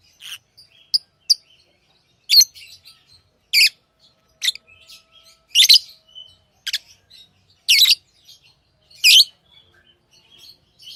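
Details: Pet lovebirds calling steadily, loud sharp chirps roughly every second over eleven seconds, with soft twitters in between.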